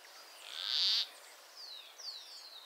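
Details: One loud, rasping, frog-like croak from an endangered Peruvian plantcutter in northern Peru, lasting about half a second, followed by faint thin whistles from other birds.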